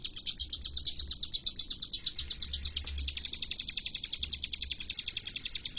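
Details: Hill prinia, known as ciblek gunung, singing steadily with varied bursts: a quick run of high, clipped notes that starts loud, softens slightly midway and continues evenly to the end over a low background rumble.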